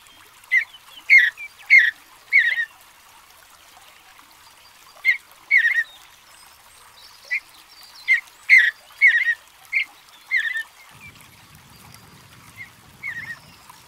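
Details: Mountain bluebird delivering bursts of brief warbled, burry notes in loose clusters separated by short pauses, about a dozen phrases, with a faint low rumble late on.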